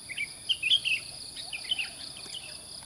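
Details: Morning song of a Sooty-headed bulbul in village countryside high in the mountains at sunrise: several quick, chirpy whistled notes clustered together, then a softer echoing phrase, with constant shrill insects behind.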